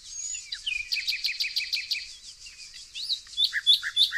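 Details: Nightingale singing in green nature with yellow flowers near Tonekabon, Mazandaran province, northern Iran, amid evergreen forest; rapid series of sharp high chirps repeated several times a second, then looser rising and falling whistled notes.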